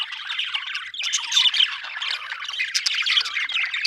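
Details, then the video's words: Happy budgie, an Australian bird, chirping in a steady busy chatter of scratchy warbles and squeaky chirps, with brief bright notes breaking above the run of sound; one short pause near the first second. "happy budgie chirping sound"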